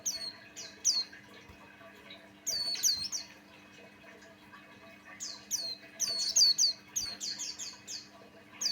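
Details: Buxtoni white-eye (pleci), described as a vigorous male singer used as a lure to make other white-eyes sing; bursts of high, sharp downslurred whistles and chirps in clusters, pauses between, faint steady low hum beneath.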